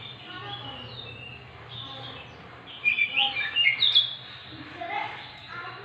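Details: Oriental magpie-robin song used as a lure to prompt silent birds to sing: clear whistled phrases, some rising and falling, bunching into a louder burst of sharp notes midway, over a low steady hum.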